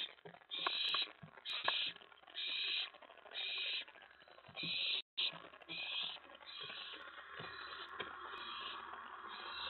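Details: Owlet at the nest around 1 AM on May 24, 2017, during mouse and rat deliveries. Rasping hissy screeches repeat roughly once a second, each short and noisy, with rustling and scraping between them.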